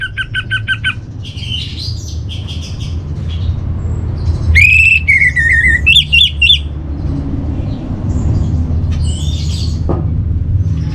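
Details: Orange-headed thrush (anis merah) training song from northern Bali: repeated short paired notes, muffled chattering, then a loud rich whistle falling in pitch and quick ringing notes, fading to quieter twitters over low rumble.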